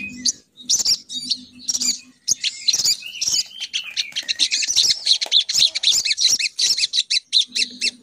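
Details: Crimson sunbird female lure call meant to bring males flocking down. Scattered high, thin chirps give way to a fast run of quick, evenly spaced tweets, over a soft low hum.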